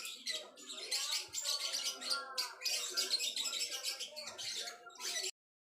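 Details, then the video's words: Java sparrow song as a master recording for songbird training: nonstop dense high twittering and chattering with a gurgling undertone, cutting off abruptly into silence at the end. "burung gelatik wingko buat masteran - kicauan burung"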